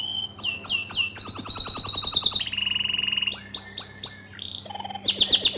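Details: Green canary with a loud, ceaseless song for tutoring young canaries: bright chirps, a fast high trill, a lower steady rattle, looping whistles and a final run of quick repeated notes.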